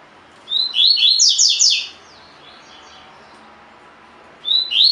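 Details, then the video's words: Double-collared seedeater in 'tui tui' style song, a training recording for caged birds: a rapid run of sweet, downslurred whistled notes lasting over a second, followed by silence and the start of another phrase. "COLEIRO DE GOLA TUI TUI FIBRA (8 Horas Encarte)"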